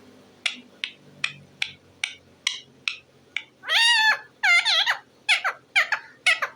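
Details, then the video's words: Pet talking parrot making evenly spaced dry clicks, about one per second, then bursting into loud, wavering nasal squawks and quick chattering notes. "talking parrot bird"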